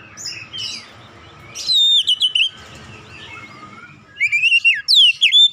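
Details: Oriental magpie-robin singing as a lure to make other birds sing: scratchy twittering over faint background noise, then loud clear whistled flourishes, rising and falling, in two separate bursts.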